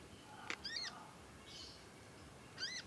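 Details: Young conin, a songbird still learning to sing, giving two short, bright, slurred chirps with stacked overtones, high-pitched and clearly separated by quiet pauses over faint background hiss.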